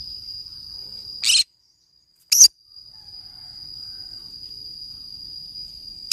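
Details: Green-cheeked conure playing alone in the forest: two brief scratchy squawks a second apart, then another clipped squawk at the end, with a constant thin high whine droning behind.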